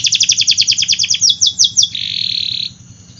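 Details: Singing canary delivering a quick run of falling chirps that slows into wider sweeps, then ends in a short smooth buzzy trill, with constant low hum behind.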